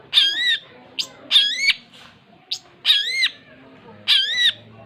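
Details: An actively singing long-tailed shrike gives four broad, rasping, arch-shaped notes at roughly one-second intervals, separated by short sharp chips, with faint low hum beneath.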